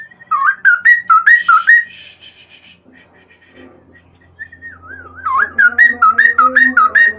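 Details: Straw-headed bulbul in lively morning song. Loud, rhythmic, slurred whistles repeat about twice a second, a softer muddled passage follows, then a wavy whistle leads back into the loud repeated phrase over a faint low hum.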